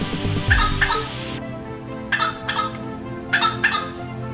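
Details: Crows in Florida calling with short, harsh, clucking bursts in paired groups, likened to a chicken, one crow seemingly arguing with another nearby; the calls come in three clusters over four seconds, with a low murmur of background noise.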